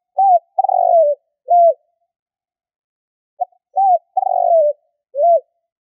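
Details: Spotted dove lure call for hunting; a three-part cooing phrase, a short note, a longer rough coo and a final short note, is given twice about three seconds apart, with no other sounds.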